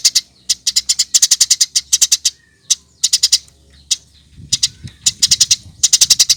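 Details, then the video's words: Eurasian tree sparrow chirping, used as a lure recording to get birds singing; sharp high chirps in quick bursts of three to six, with short pauses between runs and faint low rumble beneath. "Kompilasi Masteran Burung Gereja Gacor"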